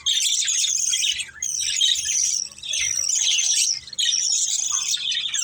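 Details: A family of budgies chirping while playing: dense, high, buzzy warbles and squeaks overlap in long runs, broken by a few short pauses.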